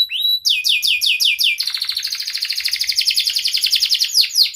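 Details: Sharp canary chirping for prompting lazy and mute canaries: a run of falling whistles about five per second, then a long steady rapid trill, closing with a couple of high swoops.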